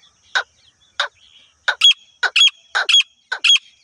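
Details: Female grey francolin call used for hunting: loud, harsh, clipped notes, single and then in quick pairs, repeating roughly every half second against a quiet background.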